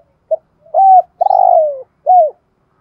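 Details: Decoy spotted dove with the 'giọng thổ' voice, singing one full phrase. A brief low pip leads into a steady coo, then a long, rough, rolling note that slides down, ending in a short falling coo. No other sounds are heard.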